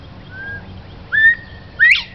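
Northern bobwhite giving its clear whistled bob-WHITE: a level note, then a louder, sharply rising slur. A fainter whistle comes just before.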